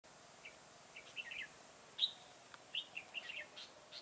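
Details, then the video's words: Red-whiskered bulbul used as a trapping decoy in a garden, recorded 9 October 2017: faint, scattered short chirpy notes and brief warbled phrases, with quiet gaps between bursts. "Bẫy chào mào Đầu gấu nhất vườn"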